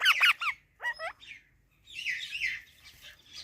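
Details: Indian ringneck parakeet talking: a few quick, bending tonal syllables, a short pause, then a longer run of rough, buzzy chatter that fades out.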